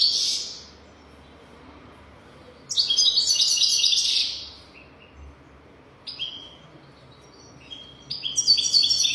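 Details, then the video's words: Golden-throated European goldfinch song for teaching young goldfinches: a brief burst, a loud buzzy trill of about two seconds, quiet pauses, then tinkling twittered notes rising into another buzzy rattle at the end. "تغريد رهيب طائر الحسون حنجورة دهبية لتعليم طيور الحسون"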